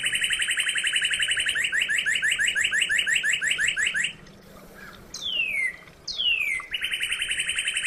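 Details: Northern cardinal singing a long, rapid run of identical downslurred notes for four seconds, a short pause, two drawn-out falling whistles, then the quick repeated phrase starts again; light hiss behind.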